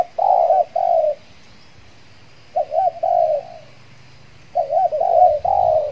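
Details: Spotted dove decoy in Kepri, brought out again after moulting to lure wild birds; loud cooing phrases of quick wavering notes ending in a long steady coo, with a pause of over a second between phrases.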